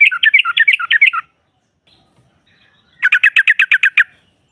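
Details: Female yellow-vented bulbul calling to provoke rival birds: two quick bursts of repeated bubbly notes, each lasting about a second, separated by a silent gap.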